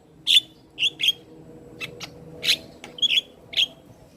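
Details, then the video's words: Black-winged starling in full, head-nodding song, for use as a lure for non-singing starlings: sparse, loud, husky chirps and squeaky notes with short gaps, some in quick pairs, against a quiet background. "Suara Asli Jalak Kebo gacor Full Manggut manggut"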